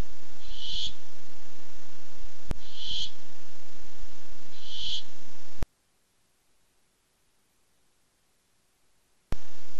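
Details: Barn owl hunting for food on a webcam, 8-7-15: three brief hoarse hisses about two seconds apart, sharp clicks, then a stretch of near silence before the hum returns.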